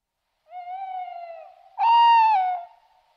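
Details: A tawny owl gives a soft, level hoot lasting about a second, then a louder, fuller, slightly wavering hoot. Nothing else is heard.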